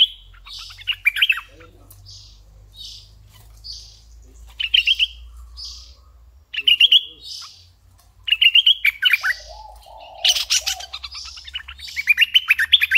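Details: Red-eyed bulbul kept as a decoy bird, singing bright, chirpy phrases of quick rising and falling notes in short bursts with brief pauses between them. Toward the end, a sharp rattling burst and a low murmur sit under the song.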